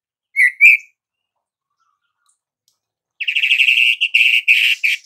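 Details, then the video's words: White-rumped shama in vigorous song: two short rising whistled notes, a pause of over two seconds, then a rapid buzzy run of pulsed, chattering notes with brief breaks, bright and high-pitched. No other sounds. "MURAI BATU GACOR || MURAI ANDA LANGSUNG EMOSI"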